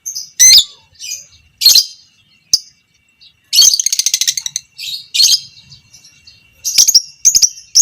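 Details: Violet parblue creamino fighter lovebird in long 'ngekek panjang' chatter for training other lovebirds: piercing isolated notes, then a rapid rattling trill of evenly spaced pulses, followed by more shrill chattering bursts.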